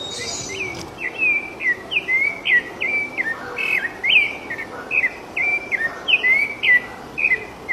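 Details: Free-living rufous-bellied thrush pouring out a continuous series of clear, fluty whistles, short phrases following one another steadily with slight rises and falls in pitch, over light natural background noise.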